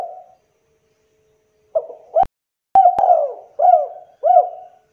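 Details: Indonesian spotted dove lure cooing, meant to make caged birds reply. A trailing coo fades into silence. Two sharp clicks follow, then a full phrase: a stuttered start, a long wavering coo, and two short bell-like coos.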